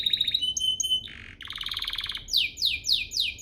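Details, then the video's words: Canary song used to provoke other canaries into singing: pure whistled notes near high pitch, a buzzy burst, a rapid trill, then repeated down-slurred sweeping notes about every half second. "Pancingan ini EFEKTIF BANGET, burung kenari lain langsung terpancing untuk GACOR"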